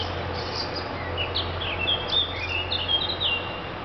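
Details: Inventive thrush song: quick whistled notes, twisting slurs and a few sharper high chips strung together, with a steady low hum underneath.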